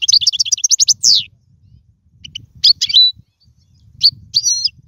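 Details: European goldfinch song used for teaching young birds to sing: a fast burst of high, clipped twittering notes, then a pause, then scattered bright chirps and a short slurred whistle, with faint low rumble underneath.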